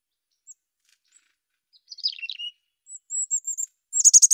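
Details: Mountain chickadee calling. Faint isolated ticks lead into a descending jumble of chirps, then a run of clear, high whistled notes. The clip ends with a loud burst of rapid, buzzy repeated notes.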